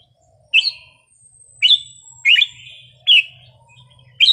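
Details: Red-whiskered bulbul wild-style song (phleng pa), played to get other birds excited: five loud, clear whistled notes about a second apart, each rising then falling, with a thin high whistle drawn out behind them.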